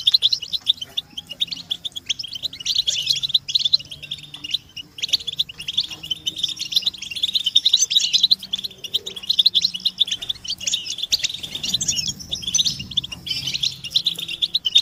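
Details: European goldfinches calling together, mating and readiness calls played to end a captive male's silence: a continuous, bubbling, high-pitched twitter that swells and fades in waves.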